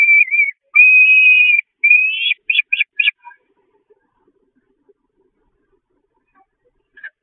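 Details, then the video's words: Hungry Peregrine falcon chicks at a nest on the Catharinakerk, 5 May 2021, attacking their mother, who flees to the grating. Drawn-out whistled calls around the mid-pitch, then short rising squeals, fading into near silence. "Kuuks moeten met lege kropjes naar bed"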